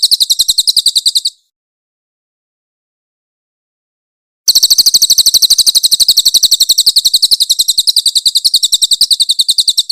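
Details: A grey-headed canary-flycatcher sings rough 'tembakan kasar' phrases for songbird training: a shrill fast trill that breaks off, three seconds of silence, then a longer, denser run of the same high pulsed notes.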